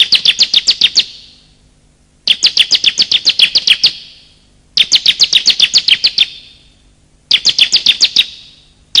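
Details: Male and female bar-winged prinia calls meant to coax quiet birds into voice and attract wild birds: four rattling bursts of eight to nine sharp high notes, each fading into echo.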